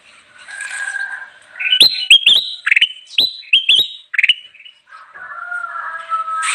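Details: Ruby-throated bulbul in full song for luring wild birds: a soft sustained whistle opens, then a run of quick rising whistled notes punctuated by sharp clicks, ending in another drawn-out tone.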